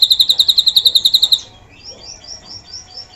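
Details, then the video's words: Drongo with imitated cililin filler, meant for tutoring songbirds. A quick burst of sharp high ticks lasts about a second and a half, then stops, leaving soft, thin, spaced whistled notes. "SRIGUNTING ISIAN CILILIN"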